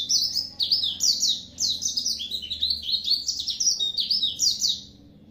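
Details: Oriental white-eye delivering an energetic high-pitched twittering song in bursts of rapid warbled notes, with a low indoor hum beneath.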